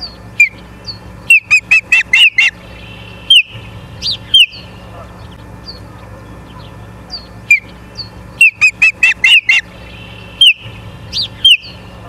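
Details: Ospreys at a nest in Charlo, Montana, on 09/07/2023 at 09:42, calling in bursts of shrill, whistled chirps, each sharply down-slurred, with a rapid run of five or six in a row twice, and a faint steady background hum.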